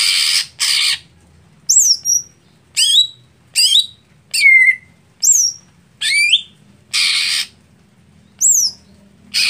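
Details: Greater green leafbird sound used as a contest setting for a bird slow to warm up or late to start: harsh broad rasping bursts alternate with sharp high whistles that sweep downward, roughly one note a second.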